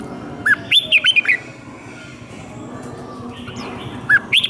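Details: Red-whiskered bulbul in captivity, a fighting song used to train birds: two short bursts of bright, slurred whistled notes, the first near the start, the second at the end, with a quiet gap between.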